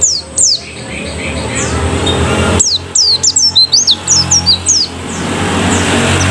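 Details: A moulting canary gives its dominant "shooting" song: quick bursts of high, sharp descending whistles and trills, repeated in a rapid run, over a low background hum.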